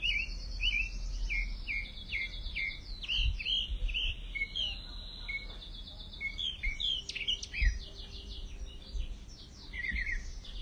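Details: Mockingbird song, a long, continuous stream of changing phrases: buzzy rattles, sharp chirps and bright whistles, each type repeated several times before switching to the next.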